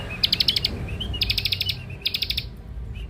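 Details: Young Scarlet-headed flowerpecker, lure song: three bursts of dry, buzzy ticking rattles, each about half a second, separated by soft thin high notes.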